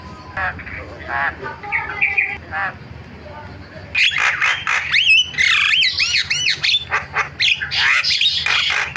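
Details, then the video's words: Starling (jalak) lure sound, used to set other starlings calling: a low, muffled stretch gives way after four seconds to loud, harsh squawks mixed with sharp, looping whistled notes, delivered in rapid, uneven bursts. "MASTERAN JALAK SUARANYA BIKIN JALAK PADA TERIAK"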